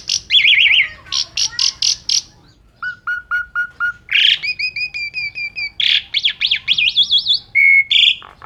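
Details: Asian pied starling singing a full 'gacor' song with 'isian' fills. Loud wavering whistles, a row of five short flat notes, sustained doubled tones and fast warbling trills follow one another in a varied, energetic medley.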